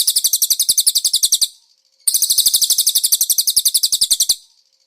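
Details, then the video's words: Konin master recording with cililin-style phrases for training cage birds: two long, shrill, fast-pulsing trills, each fading out before a short silence. "MASTERAN BURUNG KONIN ISIAN CILILIN"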